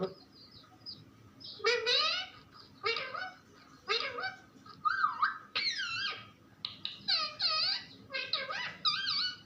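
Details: Pet parrot talking nonstop, a run of short voiced bursts with bending, curving harmonics, some rising and falling sweeps, separated by brief pauses over a low steady hum.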